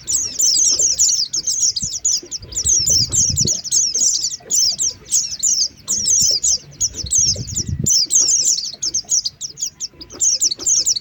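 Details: Lure recording of Oriental white-eye for trapping birds: bright high twittering bursts repeated in phrases of about a second, separated by brief gaps, with soft low thumps in the background.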